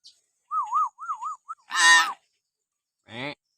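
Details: Common hill myna whistling to provoke pet mynas to sing: a wavering, yodel-like whistle of repeated rises and falls, then two loud harsh, nasal calls.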